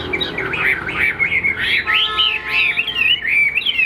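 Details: Caged hwamei of the three-yellow (tam hoàng) type singing in the afternoon, below full strength: an unbroken flowing warble of looping, wavering whistles that rise and fall without pause.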